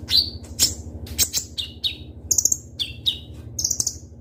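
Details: Singing kolibri ninja (ruby-cheeked sunbird), full of sharp bursts meant to prompt other birds: shrill downward-slurred notes alternating with very high chip clusters, roughly two per second, over a low steady hum.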